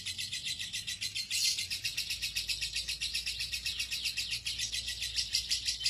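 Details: Lovebird in extended ngekek song, a trill prized for contests: dense, high, slightly harsh chattering pulses repeating quickly and continuously, somewhat uneven in loudness.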